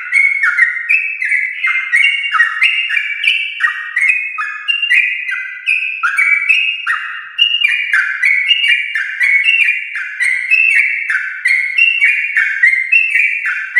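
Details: Yellow-vented bulbul giving a long, lively 'ropel' song, used as a lure to prompt home-kept bulbuls to sing. It is a nonstop stream of bubbly, warbled whistled phrases, each note sliding up or down, tightly packed without pauses.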